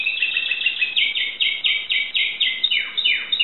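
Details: Greek Timbrado canary in 2009 song, delivering a rhythmic series of short clipped syllables about four per second, finishing with two long descending swept notes.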